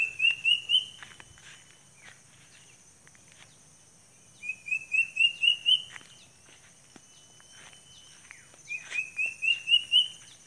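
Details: Sunda cuckoo (uncuing) giving three separate bursts of rapid whistled notes, each burst of five or six upslurred notes climbing in pitch, with quiet pauses between and a soft constant background hum.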